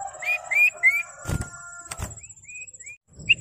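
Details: Common iora whistles meant to rouse rival ioras: three rising whistled notes, heavy thuds and knocking, then softer short upslurred whistles and a final bright note.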